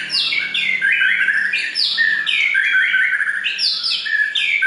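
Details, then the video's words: White-rumped shama singing clear, melodious phrases of loud whistled notes that slide downward, strung quickly together and repeated throughout, with brief sharper upper notes; background otherwise quiet apart from a faint low hum. "Kicau Murai Batu Paling Jernih dan Merdu!"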